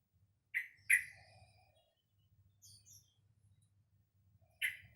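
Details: Sooty-headed bulbul youngster, two months old when acquired in early November 2018, practises singing with two clipped chirps in quick succession, a long quiet gap with faint soft notes, then another chirp.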